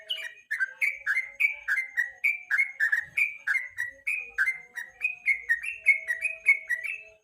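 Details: Yellow-vented bulbul in evening song, recorded as a training lure for competition birds: lively string of clear whistled, down-slurred notes, roughly one to two per second, with a low faint hum in the background.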